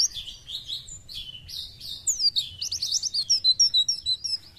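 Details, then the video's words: Oriental white-eye singing with an open beak, in full voice: high thin warbling phrases of quick, sliding chirps that speed into a rapid run of short, bright notes near the end. "PLECI JOSS ..BUKPAR KEREN..FIT NGICAU LOSS"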